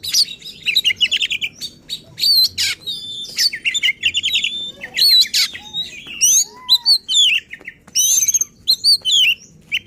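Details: Oriental magpie-robin in agitated, insistent full song that shows off its repertoire of learned phrases, used to provoke other magpie-robins; loud rapid bursts of high whistles, chattering trills and sweeping slurred notes in quick succession, with faint low background hum.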